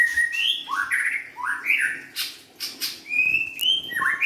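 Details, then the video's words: White-rumped shama, a young forest-caught bird, singing varied loud whistles: upslurred and downslurred notes between mid and high pitch, short sweeping phrases with brief pauses, and a few sharp higher chips. "kicauan murai batu"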